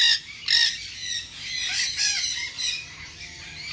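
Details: Harsh, scratchy cries from a tame-sized, ringed baby nanday conure kept at a pet shop in Bangabazar market, run together in a drawn-out rasping sequence with a few louder sharp notes.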